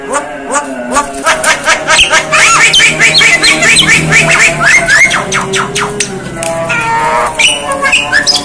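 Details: Javan myna making strange sounds: a dense burst of harsh squawks and clicks mixed with short whistles, easing into softer nasal notes, over a low steady hum.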